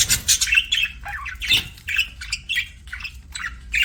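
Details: Budgerigar chirping made of short, buzzy notes that rise and fall, some bending downward, each burst lasting about half a second and repeated through the clip.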